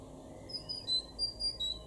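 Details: Great tit, a garden bird in Weener, East Frisia, in Germany's far northwest, recorded in April 2021: clear high whistled notes alternating between two pitches in a short phrase, over a low steady background hum.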